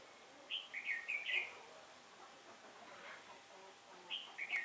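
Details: Red-whiskered bulbul decoy, singing competitively to lure wild birds toward a trap on a windy autumn day: a quick phrase of three or four chirpy, slurred whistles, a pause with soft background noise, then a shorter similar phrase.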